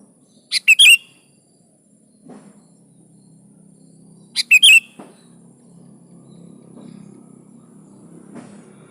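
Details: Sooty-headed bulbul, or kutilang, in 'gacor' song for prompting caged birds: two clipped chirpy phrases nearly four seconds apart, with a soft low rumble and faint knocks between.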